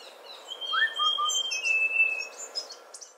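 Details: Streak-breasted scimitar babbler calling: a short sliding note followed by two lower clipped whistles, over a long thin high whistle held for about two seconds and faint high chirps from other birds.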